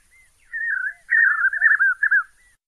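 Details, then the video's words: Song of a white-eared puffbird: a soft whistled note, then a rolling, tremulous run of whistles that wavers up and down. A faint steady high hiss runs underneath. "canto do rapazinho dos velhos"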